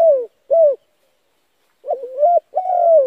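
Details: Spotted dove call played to excite decoy doves into cooing. Two brief, low, hollow coos, a pause, then a quavering, warbled note leading into a long, slowly falling coo. Clean recording with no background noise.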